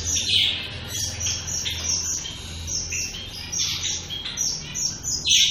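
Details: Shaft-tailed finches, several birds, producing scattered high chirps and soft twittering, a few louder nasal notes standing out, with low hum in the background.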